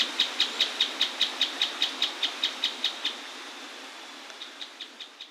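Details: Mouse-colored tapaculo singing by an Atlantic Forest waterfall: a run of repeated sharp high notes that fades and stops after about three seconds, then resumes more faintly, with continuous waterfall rush throughout.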